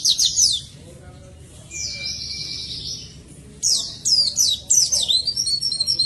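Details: Oriental white-eye song meant to encourage lazy singers: a burst of high twittering, a buzzy sustained trill over a thin steady whistle, then fast sliding whistled notes.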